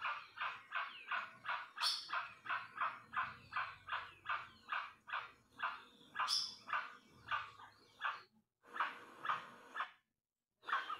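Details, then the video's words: Guan (jacu or jacuaçu) giving a long series of harsh, honking calls about two per second, a few notes sharper and higher, ending in short bursts separated by brief silences. "CANTO MP3 DO JACU OU JACUAÇU."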